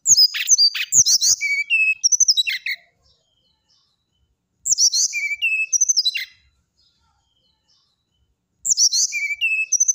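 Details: Brown-chested jungle flycatcher repeating a lively phrase of rapid high whistles and sharp sweeps, about every four seconds, each phrase ending on a level lower note; quiet gaps between.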